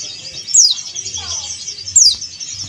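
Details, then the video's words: A male Bali white-eye calls a rival with two thin, very high descending chirps about a second and a half apart, over a steady high insect-like hiss. "SUARA CALL PLECI JANTAN"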